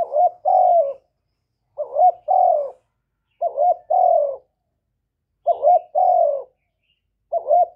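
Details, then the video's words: Spotted dove calling to lure other doves: a repeated three-part coo, a short note followed by a rolling note and a longer falling coo, every one and a half to two seconds, on a quiet background. "Tiếng Chim Cu Gáy Hạp Bổi Gáy Gọi + Thúc+Gù kích bổi mau nổi"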